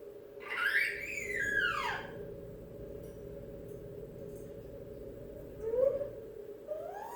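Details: Excitable pet female African grey parrot indoors, just back home, whistling a loud rising-then-falling swoop, later a short squeak and a rising whistle, over a constant room hum.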